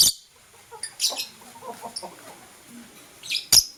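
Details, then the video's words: In the morning, blue and green lovebirds give piercing, high, raspy chirps, one opening burst and one closing burst, with brief softer twitters between them. "True Love Blue LoveBird - Green LoveBird Chirping Sound"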